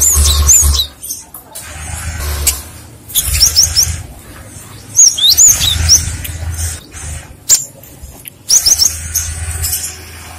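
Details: Cinereous tit (gelatik batu) lure song, with other birds answering. Short clusters of high, thin, upswept chirps are separated by pauses of a second or more. A low droning hum is also heard.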